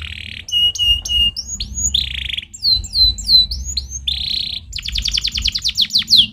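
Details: Canary singing a stimulating song: buzzy high bursts alternate with rapid repeated chip notes, swooping downslurred whistles and a fast ringing trill at the end, over a low background hum.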